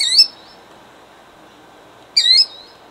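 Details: A killdeer guarding her eggs near Jackson, New Jersey, in 2008 gives two shrill, clipped cries spaced about two seconds apart, with quiet hiss between them.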